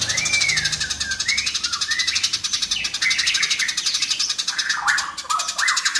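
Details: Eurasian tree sparrows, fighting, in a fast dense loud tutor recording: quick chirps and slurred notes, rising and falling, over a steady rapid pulsing buzz throughout.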